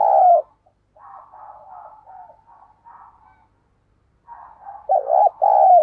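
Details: Lure spotted dove calling to attract wild doves: a loud coo note opens, then soft wavering murmurs and a pause, ending in a strong, hollow two-part coo.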